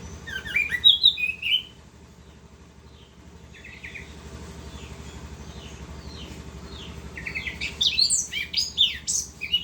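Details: Orange-headed thrush singing continuously in the rolling 'ngerol' style: bright, varied bursts of whistled and trilled high phrases open and close the passage, with softer scattered chirps between, over a steady low hum.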